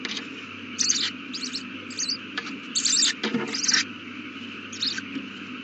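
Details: Nesting owl with a newly hatched chick, 8:32 pm, 18 April 2019. A series of short, harsh, breathy hisses comes in irregular bursts, some louder and longer, with faint clicks and a background hum.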